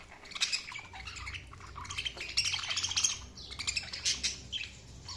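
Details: Continuous budgerigar chirping, a jumble of quick high twittering notes and short squawky calls with a few clearer whistled tones mixed in, steady throughout.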